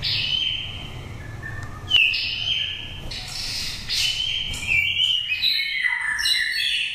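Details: Oriental magpie-robin lure song with a pure forest voice, from a five-season nest-raised bird in Dak Lak. Continuous varied whistling with sustained clear notes, quick slurs and a lower descending phrase near the end, with faint background hum.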